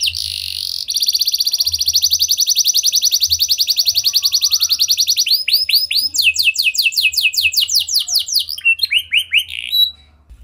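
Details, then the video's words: Canary song used to draw song from other canaries, opening with a long, very rapid even trill of about five seconds, followed by slower looping whistled phrases of changing pitch. "Pancingan Ampuh Banyak Burung Kenari Cepat Bunyi Gacor Dengan Suara Kenari Gacor Lagu Unik Ini!"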